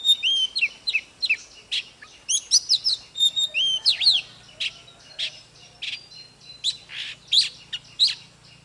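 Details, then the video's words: Oriental magpie-robin singing to fire up other magpie-robins: varied whistles, slurred phrases and harsh chips at a steady quick pace over a soft background hum. Brief quieter notes are mixed in. "Chòe than HÓT MÚA || KÍCH LỬA || Kích chòe than hót căng"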